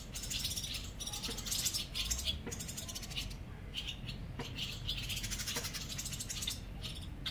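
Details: Barn Swallows at a colony under a bridge in Mercer County Park, New Jersey, keep up a busy chorus of high, rattling twitters and chirps from many birds, over a steady low rumble.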